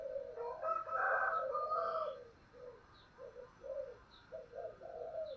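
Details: Spotted dove singing in the thổ voice style with urging and calling coos. A rooster's drawn-out crow opens, then the dove's low, rounded coos follow in short, even groups, with faint high chirps behind.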